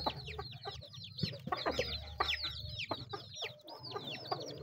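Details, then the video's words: Chickens eating: a dense chorus of high, sharply downslurred peeps overlapping in quick succession, with soft low clucks and pecking thuds beneath. "The sound of chickens eating"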